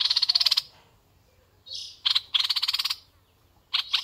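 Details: Decoy red-eyed bulbul with vigorous fast rattling chatter: two long runs of rapid buzzy pulses, a softer breathy note between them, and a pair of short sharp notes at the end.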